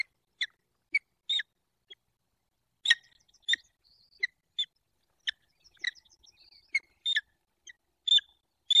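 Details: Peregrine falcon pair in the Barycz Valley, Poland, calling during mating at their nest on 28 February 2023. A busy run of harsh chipping notes, roughly one or two a second, mixed with thin squeaky sounds.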